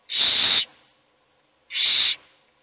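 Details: Two loud hissing rasps from begging owl chicks in a nest box, each around half a second, separated by a pause of just over a second.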